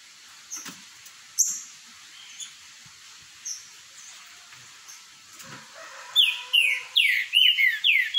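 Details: Green-winged saltators in a singing dispute: after several seconds of faint clicks and quiet background, one bursts into loud, slurred whistled notes, each swinging up then down, about three per second.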